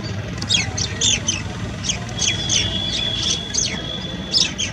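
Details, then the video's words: Brahminy Starling calling at Keoladeo National Park, Bharatpur, Rajasthan, India, in December 2018: a run of quick, scratchy chirps and short slurred notes, high-pitched and irregular, over a low rumble of background noise. "Brahminy Starling : calling"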